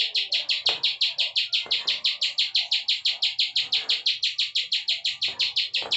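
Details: Steady stream of sharp high notes, about three per second, from a bar-winged prinia in loud continuous ciwah prenjak klik song, with faint clicks behind.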